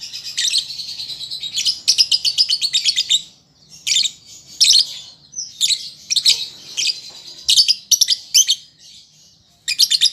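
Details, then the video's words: Juvenile lovebird practising its song, used to prompt pet birds to answer: long runs of shrill, scratchy chirping trills in rapid pulses, broken by brief silent gaps, over a quiet low background hum. "Pancingan Lovebird Paud Belajar Bunyi Ampuh Langsung Nyaut"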